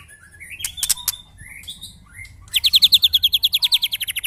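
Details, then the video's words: White-rumped shama, a kept songbird being tested for mental strength alongside neighbours' birds, gives soft scattered whistles, then a loud, fast, even run of high repeated notes, about three per second, with a faint low hum underneath. "test mental burung murai batu bersama teman teman"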